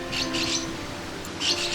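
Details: A wild Varied Lorikeet in blossoming Northern bloodwood trees across northern Australia, where blossom usually begins in early July, gives two short, harsh, hissy screeches about a second apart. The screech is louder when feeding and in flight. A steady low musical hum sounds underneath.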